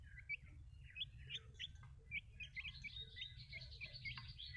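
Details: Several small baby chicks cheeping together, short high slurred notes that grow denser toward the end, over a constant low-pitched background noise.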